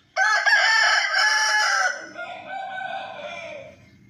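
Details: Long rooster crow, a bright, strained cock-a-doodle-doo held steady for nearly two seconds before dropping into a quieter, descending tail, with faint low clucking underneath.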